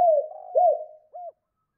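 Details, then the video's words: Two-note 'cốt' cooing of a spotted dove, used to provoke other doves: two drawn-out, wavering coos blending into a hum, then one short, clipped hoot after a brief gap. "Chim cu gáy 2 cốt và thúc lợi cốt kích bổi"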